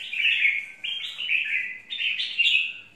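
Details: Caged-style 'mộc' red-whiskered bulbul giving three quick, lively warbling phrases back to back, each stepping slightly higher, rich and chattery.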